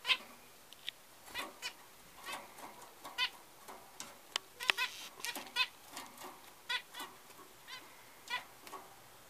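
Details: A zebra finch chick six hours after hatching gives faint, thin begging peeps in short, irregular bursts.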